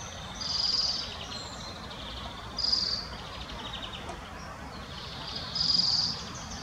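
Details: A spotted flycatcher in the Munich Botanical Garden gives three thin, high, hissing calls about every two to three seconds, over a steady background rumble and hiss.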